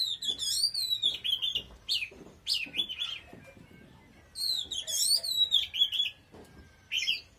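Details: Powerful Oriental magpie-robin song of bright, clear whistles that slide downward, sung in two bursts separated by a brief pause, with short sharp notes between phrases.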